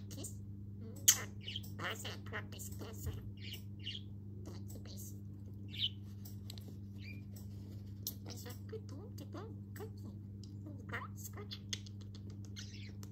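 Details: A pet male budgerigar chattering and playing indoors, being taught to tap his beak on the wall to encourage talking; rapid scratchy chirps and squeaks, sharp tapping clicks, over a steady low electrical hum.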